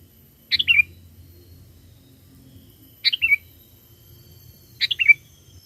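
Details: Sooty-headed bulbul calling in wild bulbuls with vigorous song: three clear phrases of about four quick whistled notes stepping down in pitch, each some two and a half seconds apart, over a faint hum.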